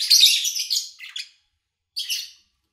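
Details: Lovebird chirps from an August 2019 recording with little background noise: a long, loud, grating chatter of run-together notes, a pause of under a second, then one short, raspy burst.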